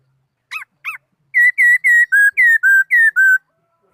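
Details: Laughingthrush singing: two short looping whistles, then a fast run of eight loud, clear whistled notes about four per second, alternating slightly higher and lower in pitch, on a silent background.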